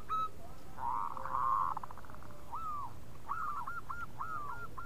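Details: A local zebra dove gives its bekur call: a soft rolling trill first, then a string of separate short arched coos, each rising and falling, over a muffled background.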